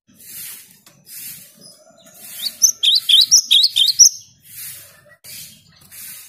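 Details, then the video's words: Cinereous tit in full song, played to stir silent tits into singing: a brief burst of quick, bright, repeated two-note whistles in the middle, framed by soft rushing noise bursts before and after. "Gelatik batu gacor untuk merangsang gelatik macet agar rajin bunyi"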